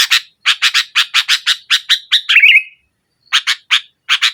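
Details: Sooty-headed bulbul in strong song against a rival, used to draw out a silent bulbul: a rapid string of scratchy chattering notes flowing into a warbled trill, then after a gap more spaced notes.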